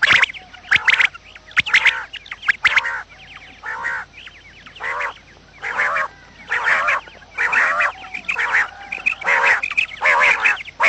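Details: Quail sounds for trapping, heard in the morning: a long series of grating, nasal bursts at roughly one per second, interleaved with thin rising chirps and sharp clicks.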